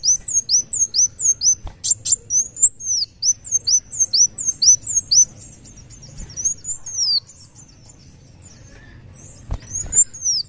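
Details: Busy, shrill song from a kolibri wulung of the muncang daun type: long fast series of tiny curved whistles for seven seconds, a near-silent lull, then a final high slurred phrase; a couple of clicks are also heard.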